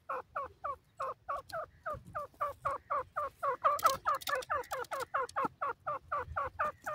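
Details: Newborn grey francolin chicks in their first days, exploring a forest, playing and bathing: a steady run of short, wavering peeps, about two per second, with a brief scratchy rustle midway.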